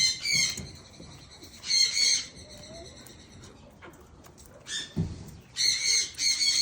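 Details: Blue eared pheasant grazing on green grass; scratchy, nasal squawk bursts come in irregular clusters with quiet gaps between them, along with a few soft thumps.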